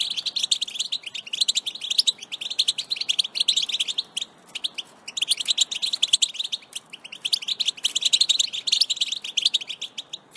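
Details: European goldfinch song used to encourage a pet goldfinch to sing strongly: rapid, dense tinkling twitters and trills in extended phrases with short gaps between them.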